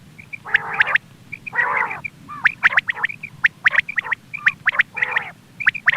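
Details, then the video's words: Quail calls used as a hunting lure: harsh, nasal buzzing bursts about half a second long alternate with short, sharp high notes in quick pairs and triplets, repeated roughly once a second over a low background hum. "Quail bird sound for hunting | Btair voice"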